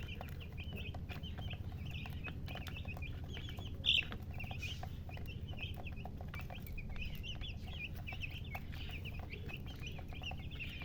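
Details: Several young chicks peeping nonstop, thin high cheeps in quick irregular runs, one louder sharp peep near the middle, with a low background hum throughout.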